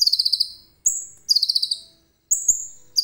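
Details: Common iora, caged, song filled with cililin phrases, recorded with a phone camera: a rapid series of high pulsed notes, then thin level whistles each sliding into a quick buzzy trill, with faint knocks.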